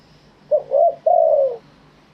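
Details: Spotted dove of wild stock, Thailand, crowing clearly: one phrase of a short clipped note, a warbling coo and a longer level-then-falling coo, in a quiet setting.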